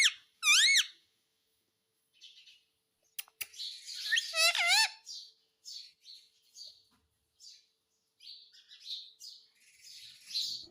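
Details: Pet Indian ringneck parakeet indoors: two loud, arched, harmonic squawks at the start, then a burst of rapid wavering squawky notes mid-way, with softer scattered chatter and clicks between.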